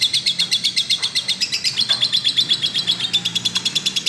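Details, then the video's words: Lovebird described as singing at full strength: a fast, even train of sharp, high chips, about four each second, running without pause over a quiet low hum. "burung love bird gacor"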